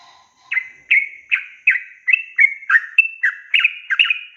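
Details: Yellow-vented bulbul in lively long rolling song, used as a tutor to get young and newly caught birds singing; a rapid string of bubbly, warbled notes repeated about every third of a second, clear, with no other sounds.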